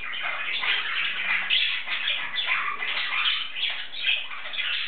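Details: Male pet English budgie (Budgerigar, Melopsittacus undulatus) talking and singing to himself: a steady warbling stream of chattering, scratchy chirps and short whistles.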